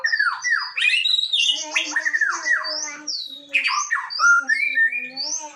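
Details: Male white-rumped shama singing hard: rich varied phrases of looping whistles, a buzzy high trill, rising sweeps and lower steady tones, with hardly a pause.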